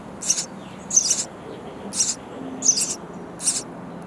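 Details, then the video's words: Nestling sparrows in a bird house calling for their insect-carrying parents; five high, buzzy chirp bursts, a couple doubled, spaced under a second apart, with low background hum. "Feeding Hungry Baby Sparrow Birds In A Bird House Nest"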